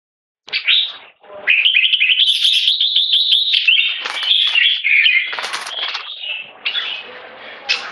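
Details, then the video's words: Red-whiskered bulbul singing in the "one stroke" style leading to keke: loud, rapid, warbled phrases of bright chirps and slurred whistles, nearly continuous after a brief opening burst. "Jambul Video 1 Troy One stroke singing lead to keke"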